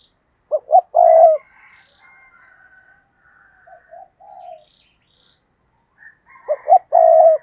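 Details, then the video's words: Decoy spotted dove on a tree, cooing and calling to lure wild doves: a loud three-note coo phrase, two short notes then a long mellow one, opens and closes; soft low coos and faint thin whistles in between. "Chim Cu Mồi Cây Thúc Gù Và Gáy Gọi/ Cu gáy kích bổi nhanh nổi gù"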